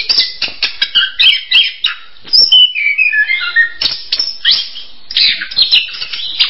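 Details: Orange-headed thrush song: fast chirps, then a sweet descending series of clear whistled notes in the middle, followed by more rapid scratchy chirping bursts.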